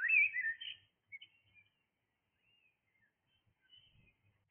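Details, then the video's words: A blackbird singing in the early morning hours gives one rich, warbling phrase lasting under a second, followed by a few faint, scattered twittering notes and near silence. "Blackbird singing"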